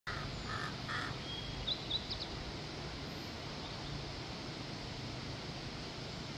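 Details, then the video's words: Crow giving three quick harsh caws in the first second, then only a steady hiss of background noise with a couple of faint high chirps. "crow bird crowing sounds to attract crows naturally"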